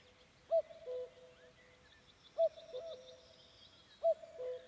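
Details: Wild common cuckoo with a slightly unusual cuckooing, recorded on a May evening among the Vändra forests of Pärnu County, Estonia: three clear two-note cu-coo calls, the second note lower, about every two seconds, with faint songbirds twittering behind.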